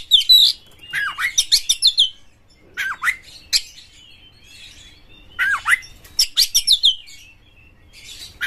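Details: White-rumped shama song aimed at provoking other shamas, full of excitement with tail spread: harsh rattling bursts and downward-sweeping whistles, delivered in phrases about every three seconds.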